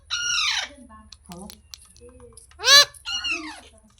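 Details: Talking parrot indoors giving three loud, harmonic squawks, the first drawn out and arching, the middle one a brief piercing shriek, the last a falling nasal call. Small clicks and soft notes between them.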